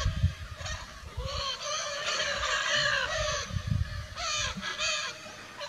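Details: Harsh, raucous screeches from wild, free-flying Lear's macaws in Brazil come in quick successive bursts, some with a slightly rising, nasal tone. Low thuds and rumble are in the background.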